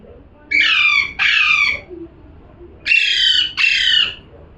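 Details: Parrot calling: four loud, harsh, raspy squawks of about half a second each, given in two closely spaced pairs with a pause between, in a quiet indoor setting.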